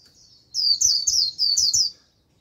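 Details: White-eye used as a decoy to attract a wild flock, giving one dense burst of quick, high, slurred warbling notes in a rolling run of about a second and a half, with soft thumps beneath.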